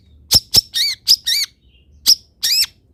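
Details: Long-tailed shrike song meant for other birds to imitate: quick high ticks followed by drawn-out nasal, wavering squeals, in two short bursts.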